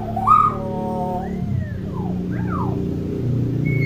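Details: A talking common hill myna, possibly saying "king", gives loud whistled notes, a held tone, then rising and falling slurs and a high whistle, over a steady low hum.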